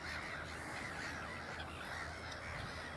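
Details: Black-headed gull (Chroicocephalus ridibundus) parent with following chicks at Ottersaat, Texel, Netherlands: harsh, rasping, slightly arched calls about once a second over a steady low rumble, with other birds calling behind.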